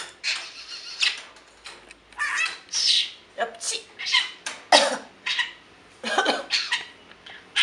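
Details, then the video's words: Pet parrot talking, imitating human speech in a run of short, high-pitched, raspy word-like bursts, each under half a second, with brief pauses between. "Попугай говорит,Parrot says,მოლაპარაკე თუთიყუში"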